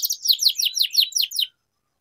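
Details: Canary practice song: a brief burst of eight rapid, buzzy descending chirps lasting about one and a half seconds, followed by silence.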